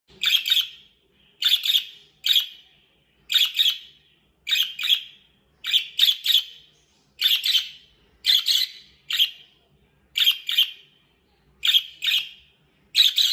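A budgerigar gives short, bright chirps in quick bursts, repeated roughly every second.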